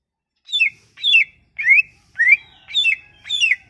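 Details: Sumatran leafbird lure song: six buzzy, slurred whistled phrases, some rising and some falling, spaced about half a second apart.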